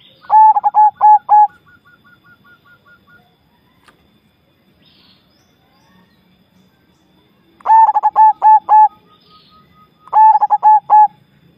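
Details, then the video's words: Javanese zebra dove (perkutut jawa) singing: three bursts of rapid, stuttering mid-pitched coos, each a quick run of clipped notes with a softer trailing series, separated by quiet pauses of several seconds. "perkutut jawa bikin gacor"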